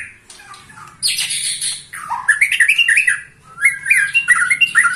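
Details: A 21-year-old white-rumped shama still singing hard: after a brief quiet start, loud bursts of scratchy high notes give way to rapid whistled and chattering phrases, rising and falling slurs tumbling together.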